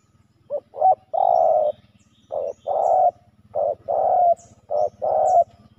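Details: Spotted dove males clash at a ground decoy site. Repeated paired coos: a brief clipped note, then a drawn-out low croon. Four such phrases are spaced about a second apart, with a faint buzzing hum underneath.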